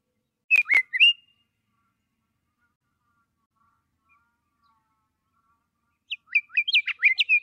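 Scott's Oriole sings two short bursts of clear, rich whistled notes, fluty and slightly slurred, separated by a few seconds of quiet.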